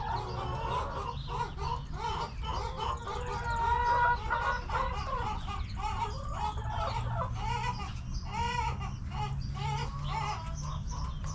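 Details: Several backyard hens cluck together in their coop, an overlapping chatter of nasal clucks and short wavering notes that rises in the middle, with a constant low hum behind.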